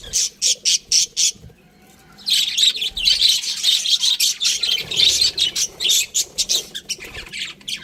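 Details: Pet budgerigars chirping: a run of six evenly spaced sharp chirps, a short pause, then a dense burst of overlapping high scratchy warbles and chatter from several birds.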